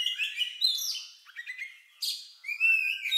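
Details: Oriental magpie-robin with an odd, lovebird-like song used as a trigger for other birds: bursts of bright whistles and buzzy chirps, with a quieter gap midway before a loud whistled phrase resumes.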